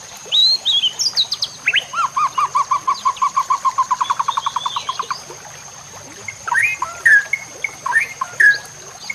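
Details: White-rumped shama song used as a training recording for other shamas. A long, even trill of about twenty repeated mid-pitched notes, followed by scattered whistled slurs, with a constant high hiss in the background.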